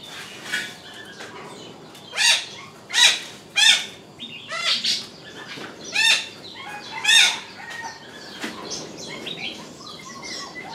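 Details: Three lovebirds perched at the top of a crape myrtle tree give harsh, shrill chirps and squawks in bursts, louder ones every second or so, with softer chattering between them.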